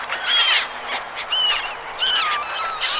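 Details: Gulls at a river, giving loud, harsh squawking calls with a downward slur, about four calls spaced under a second apart, over a steady background of flock chatter.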